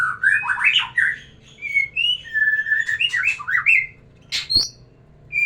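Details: White-rumped shama song aimed at arousing a female for breeding: loud varied warbling and slurred whistles in a dense stream, a sharp click, then a brief high note.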